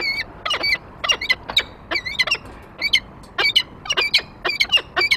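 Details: Peregrine falcon at the nest as the male lands with prey on the grate and the female comes after him, 28 February 2023; rapid harsh, squealing two-part calls in quick irregular bursts, some overlapping, with a quiet hiss behind.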